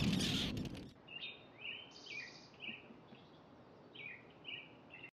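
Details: A family of four Arctic terns give a loose series of short, harsh, downslurred calls about every half second, after an opening burst of wind noise.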